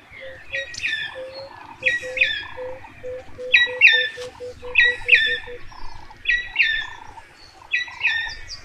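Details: Buff-crested bustard courtship in Tsavo East National Park, Kenya, the male pursuing a female: a long chain of short, steady, mid-pitched notes, speeding up towards the end, while other birds give loud, bright chirping phrases every second or so.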